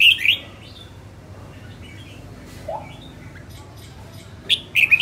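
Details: Female red-whiskered bulbul, a northern-type bird, singing in song training: two bursts of bright warbled phrases at the start and end, with a single lower note between and quiet background hum.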